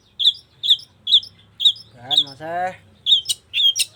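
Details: Long-tailed shrike in full, busy song: sharp high chirped notes repeated about twice a second, briefly broken by a low human voice midway, with a faint low hum underneath.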